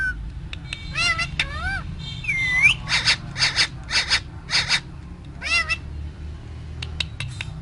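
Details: A parrot talks inside its cage, giving bending, voice-like harmonic phrases, one upward-swooping whistle, then a run of rapid clipped pulse bursts over a constant low droning background.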